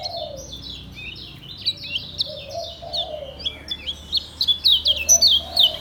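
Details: Lemon-bellied White-eye from Lombok, kept caged, in ngejos song: a continuous stream of high twittering, sliding notes with sharp accented chips, plus a few lower mellow notes from another bird in the background.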